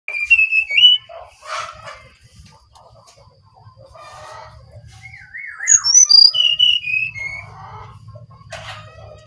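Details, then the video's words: Brown-chested jungle flycatcher singing energetically: a high whistled note and scattered chirps, then a clear phrase of slurred whistles stepping down from very high to mid pitch, ending with a sharp burst. "Sinkatan rimba dada coklat (SRDC) Bali Gacor"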